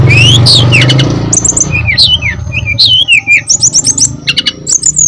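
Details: Brown-chested jungle flycatcher song used as a lure for other birds: quick whistled slurs and high chirps in a busy sequence, over a low humming background at the start.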